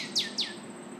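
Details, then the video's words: A Northern Cardinal sings two clear, steeply down-slurred whistles in quick succession, about a quarter second apart, over a faint background hiss. "Cardinal singing"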